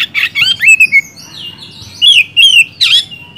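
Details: Oriental magpie-robin in energetic song intended to prompt silent kacer to answer: rasping notes and smooth downslurred whistles, a brief quieter gap, then paired clear whistles and a final harsh burst.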